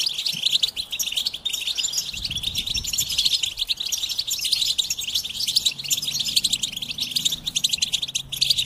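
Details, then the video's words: Goldfinch song: fast, unbroken twittering with bright trills and buzzy chirps that run steadily through the whole stretch with no pauses. "Experience the Goldfinch Singing"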